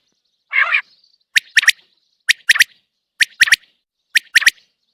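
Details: A common quail outside the cage repeats crisp three-part calls, one note then a snappy double, about once per second, after a brief lower burst of sound at the start.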